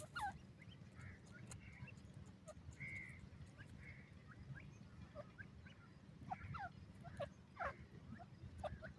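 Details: Young grey francolins playing happily on soft muddy ground in a forest in the evening, giving scattered thin, squeaky chirps and quick downward-slurred peeps in loose bursts, with constant low background rumble and occasional clicks.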